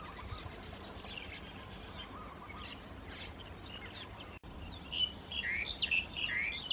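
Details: White-vented myna feeding on figs in rice fields at Khao Yoi, Phetchaburi, Thailand, on 28 March 2016; after a quiet start, a burst of loud, harsh, high chattering notes in quick succession fills the last two seconds.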